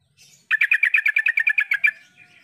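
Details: Yellow-vented bulbul (Pycnonotus goiavier) gives a fast, bubbly chatter of about a dozen bright notes in under two seconds in a quiet background; this call prompts silent or reluctant bulbuls to start answering back.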